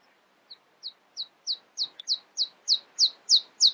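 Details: A nightingale sings at dawn with a crescendo of about eleven identical high, sharp notes, each louder than the last, spaced roughly every third of a second against a quiet background.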